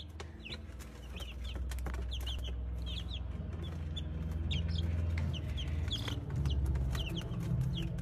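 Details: Brahma chicken chicks peeping: short, high, downslurred cheeps repeated several times a second in an overlapping chorus, with scattered clicks and a steady low hum underneath.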